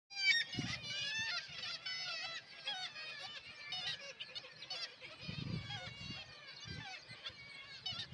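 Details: A dense chorus of black-legged kittiwakes (Rissa tridactyla) at a breeding colony in Kiberg, Norway, with overlapping nasal, wailing calls rising and falling without pause and low thumps of wind.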